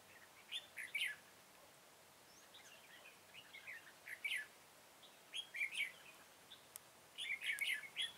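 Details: Red-whiskered bulbul recorded while a flock leader was trapped with a decoy on 21 September 2017. Repeated short bursts of bright, jumbled chirping notes, about five phrases with brief quiet gaps between them.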